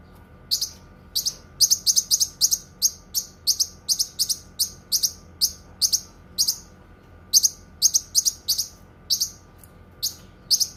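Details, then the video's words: Cucak kinoi delivering steady sharp high chirps, some doubled, at a lively, uneven pace with one short pause midway. "Suara Kicauan Burung Cucak Kinoi"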